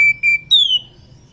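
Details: Breeding female Oriental magpie-robin calling its companion: two short, level pure whistles followed by one longer, loud descending whistle.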